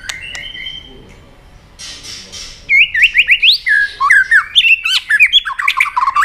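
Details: Aggression-roused white-rumped shama fight-singing: after a soft hiss and a held tone, a brisk string of loud hooked whistles and chattering notes, roughly three or four per second.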